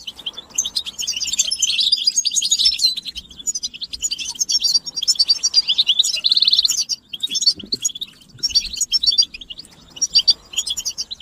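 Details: A chorus of European goldfinches giving mating and readiness calls, said to make males break their silence and sing: long runs of rapid, tinkling twitter, buzzy trills and sweet whistled notes with short pauses.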